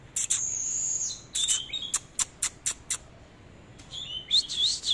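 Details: Oriental magpie-robin singing while dancing in display: a sustained high whistle, then a run of sharp clicking notes about four per second, ending in quick warbled, wavering whistles.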